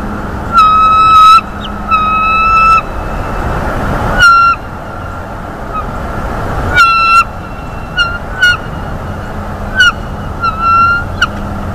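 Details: On a North East Florida nest camera on a February 2021 morning, a bald eagle squeals excitedly as the male delivers a mammal: high, thin squeals of varied length over a constant low rumble.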